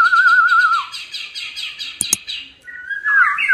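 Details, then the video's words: Gacor song of a white-rumped shama, used to spur other shamas into song: a wavering whistle leads into a fast, even rattle of repeated notes, a brief click, then sliding whistled phrases. "MURAI BATU GACOR TERAPI AGAR MURAI CEPAT BUNYI DAN IKUTAN GACOR"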